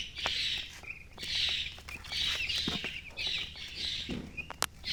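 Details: Chicks giving a steady wash of high, rapid chirps in pulsing waves roughly once per second, with scattered clicks and a soft background hiss.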